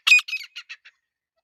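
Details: Female grey francolin, called Irani or Dakhni teetar, calling: a short burst of five harsh, broadband, scratchy notes, the first loudest and the rest fading quickly and evenly spaced, with silence after.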